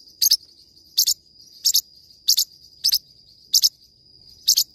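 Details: Forpus parrotlet singing, giving shrill paired chirps roughly every half second to one second, seven bursts in all, with a constant faint high whine underneath.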